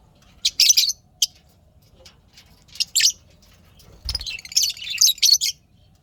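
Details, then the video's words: Pet lovebirds chirping happily: scattered sharp high chirps, then a longer stretch of rapid shrill chattering notes, with a low thump partway through. "lovebirds chirping sounds happy"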